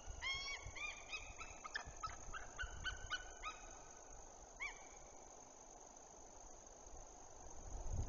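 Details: White-tailed eagles from a nest-camera site in Woziwoda forest district: a burst of rapid, high yelping notes for about three seconds, one more slurred cry after a pause, then quiet hiss and a closing thump.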